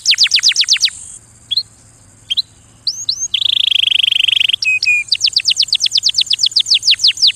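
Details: Canary singing for mating: burst of rapid falling whistles, a pause with scattered chirps, a buzzy trill and flat whistle, then another long run of quick descending notes.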